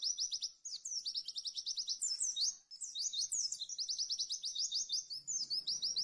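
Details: Pleci, or white-eye, singing a tembakan speed max masteran: rapid high-pitched chirped notes in fast rattling runs, mixed with sweeping whistled phrases, nearly continuous, with a faint low hum near the end.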